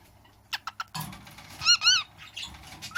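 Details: A male pet bird almost a year old (spring 2016) imitating sounds he hears: three quick kiss-like smacks, then a breathy "ahh" burst and two harmonic, tune-like notes from the Addams Family theme, ending on a short rising squeak.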